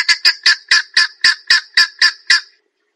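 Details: Grey junglefowl calling: a regular series of about ten harsh, clipped notes at roughly four per second, each short and loud, ending abruptly, with no other clear sounds.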